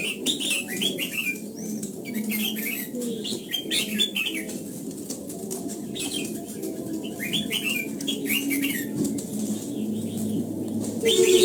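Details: Morning song of a red-whiskered bulbul being trained toward the old-forest double-note style. Clusters of quick whistled phrases come in bursts with pauses between, over a constant low hum and soft rustling.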